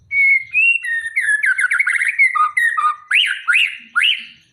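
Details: White-rumped shama from Aceh, prepared for a singing contest, delivering clear whistled notes that build into fast chattering phrases and end with three loud rising-falling whistles.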